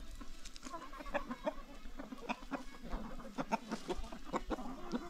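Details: Free-ranging chickens on a farm, a flock clucking together: dense runs of short, clipped clucks overlapping one another throughout, with a low background hum.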